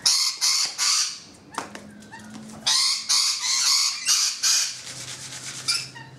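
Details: Rainbow lorikeets on a balcony giving loud, harsh, grating screeches in rapid bursts, several overlapping, with short pauses between, plus a faint low hum in the background.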